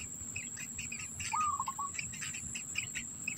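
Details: Black bittern at the nest, holding food in its mouth for its young: one stuttering call that rises sharply, then breaks into a quick run of short pulses. Busy high chirping from other birds and a steady high insect whine run throughout.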